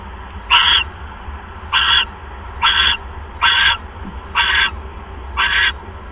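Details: Owl at its nest while a mouse is delivered, 1 January 2015, 6:33 PM: six short, rough, hissing screeches about once a second, evenly spaced, over a low continuous hum.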